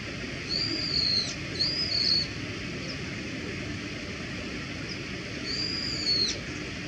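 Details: Brown-eared bulbul calling with short, high, thin whistles: a pair of quick notes near the start, then one more after a pause, against constant low background rumble and hiss.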